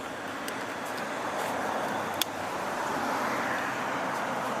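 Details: Steady road traffic roars in an outdoor urban setting, with a few sharp clicks and no animal voices.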